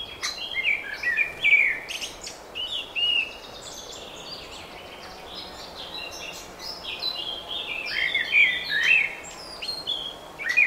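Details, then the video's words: Springtime bird chorus of rapid twittering and warbled phrases, loud at the start and again near the end, with softer scattered chirps through the middle. "Wiosenny śpiew ptaków"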